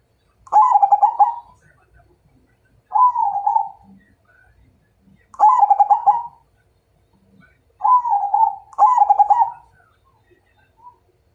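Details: ['Zebra dove, perkutut of the Majapahit line, singing to provoke a fight: five quick bursts of bubbly, pulsed cooing spaced one to two seconds apart, with soft low knocks between phrases.']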